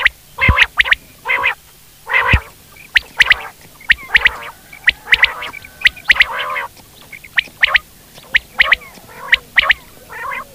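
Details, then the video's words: Quail giving a long, irregular series of short, rasping harmonic bursts about once a second, mixed with sharp clicking notes over a faint, steady low hum. "Buter ki awaz"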